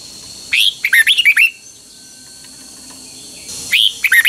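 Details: Thai caged red-whiskered bulbul, Pa La-u bird, in phleng boen song. A bright phrase of a high opening note and several quick dipping warbles, then a pause and a second similar phrase starting. Steady hum behind.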